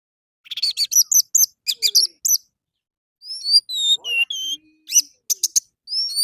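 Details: Orange-headed thrush in morning song, a lure to make caged birds sing along: quick sharp chirps in clusters, then longer clear whistled notes sliding up and down, with faint lower tones.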